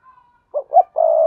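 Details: Sa thúc, gù and gáy calls of a spotted dove, played to draw in wild doves: a faint thin tone, then two short rounded coos and a long, level, drawn-out coo.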